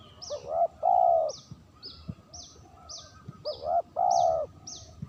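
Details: Lure recording of a spotted dove repeating its phrase twice, about three seconds apart. Each phrase is a short coo, a quick second note, then a prolonged mellow coo. Thin high downslurred chirps from another bird sound in between.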